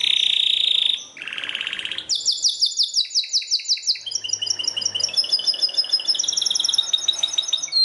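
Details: Belgian canary singing forcefully: a buzzy high trill, a lower rattling roll, then a fast series of bright notes falling into chattering repeated phrases, with faint low background hiss.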